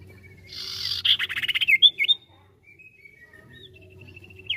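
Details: Energetic sirtu bird song, ngetril ngetrol style: rasping chatter mixed with fast clicking pulses and several loud whistled twists, then softer high notes and a faint trill, with a steady low hum behind.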